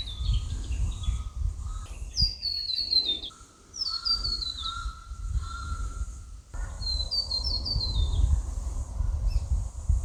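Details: Variegated Fairy-wren in open Australian woodland with grass, on a Saturday morning, among many females and one male. It gives thin, very high, sliding trills every few seconds over steady wind rumble, with a level mid-pitched whistle from another bird.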